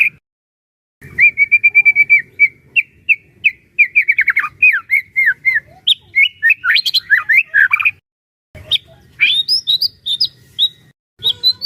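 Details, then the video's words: Caged-bird trainer recording of a White-rumped shama singing full varied song: fast runs of repeated chirpy notes, quick trills and sliding whistles in bursts, with two brief pauses. "burung murai batu gacor AMPUH buat PANCINGAN dan MASTERAN murai batu agar bunyi GACOR EMOSI"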